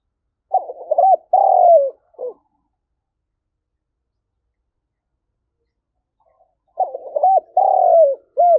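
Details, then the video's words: Vietnamese decoy spotted dove calling to attract wild birds for trapping, in the 'giọng thổ' style. Two low, hollow coo phrases several seconds apart, each a broken lead-in, a prolonged falling coo and a short final note, with silence between. "Chim cu gáy gọi || tiếng chim cu gáy mồi chuẩn cực hay dùng kích bổi"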